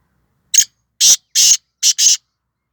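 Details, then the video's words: Black francolin from Sindh, Pakistan, giving a harsh, grating five-note call: a short opening note, two longer rasping notes, then a quick final pair, all loud and broadband with silence between phrases. "Kala Teeter"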